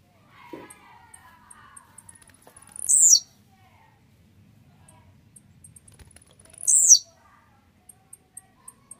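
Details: Warmed-up, aggressive blue-black grassquit sings two sharp, high, descending buzzy bursts about four seconds apart; faint ticking, a low hum and soft chatter-like sounds lie beneath.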